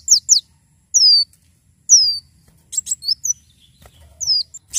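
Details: Lively Javan sunbird song for training and luring birds: a few sharp high chips, then long thin downward-sweeping whistles spaced about a second apart, ending in a quick twittering burst.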